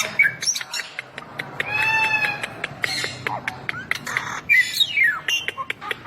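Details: Bali myna song: harsh squawks and sharp clicks mixed with a drawn-out harmonic nasal note and short rising and falling whistles, delivered in irregular bursts with brief pauses.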